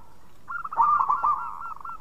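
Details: Local zebra dove singing, kept as a lure to draw other doves; a soft rolling trill of quick coos, rising in loudness then fading over about a second and a half.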